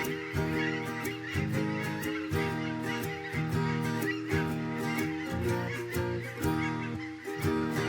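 Geese honking loudly and repeatedly, about once a second, over a steady musical backing.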